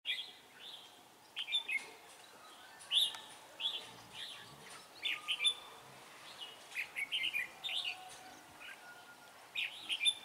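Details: Red-whiskered bulbul used as a decoy bird for trapping, singing fairly softly: a steady run of short chirpy, warbled phrases, several quick notes each, repeated through the whole stretch with little pause.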